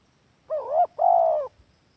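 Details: Lure call of a spotted dove, meant as master song for doves kept at home: two rough, mellow coos in quick succession, the first dipping and rising, the second longer and steady, with little background noise.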